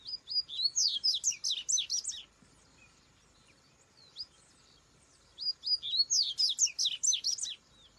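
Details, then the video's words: Rusty-collared seedeater singing in nature: two long bursts of rapid, high, twittering notes, each starting with a few whistled slurs and speeding into a dense jumble, divided by a quiet gap with one isolated note. "Coleiro cantando na natureza"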